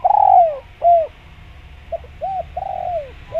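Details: Spotted dove cooing as a lure for wild doves: a long falling coo opens, then a short arched note. After a pause come two soft clipped notes, a rounded coo and another long descending one.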